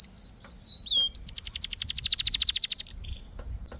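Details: Canary singing a few swooping descending whistles, then a fast even series of about twenty chirping pulses, closing with a soft low trill.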